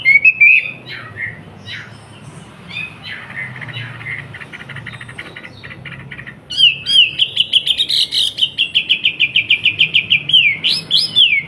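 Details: Surabaya Wambi used to tutor young trucukan bulbuls: brief whistles and a soft stuttering chatter, then, after a pause, a loud sustained rapid trill of pulsing notes with upward whistled flourishes.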